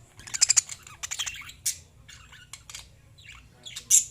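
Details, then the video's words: Lovebirds singing and chirping: clusters of sharp, high, squawky chirps in quick bursts, with irregular pauses between and a loud harsh note near the end, over a faint low hum. "Love birds singing and chirping sounds"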